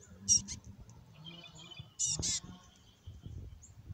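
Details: Black-capped chickadees, described as extra fluffy and raspy, giving short, harsh, high calls: one brief rasp near the start, then a louder, buzzier double burst about two seconds in, over a low background rumble.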